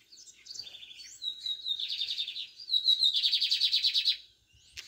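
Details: Lined seedeater delivering an excellent song: a clean high opening phrase, then a sustained buzzy warble building into a loud rapid pulsed trill, with near-silent background.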